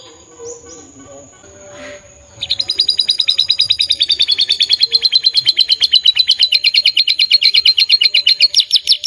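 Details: After two seconds of faint background sounds, a canary bursts into lively gacor song, a long, fast trill of high, bright notes repeated steadily to the end.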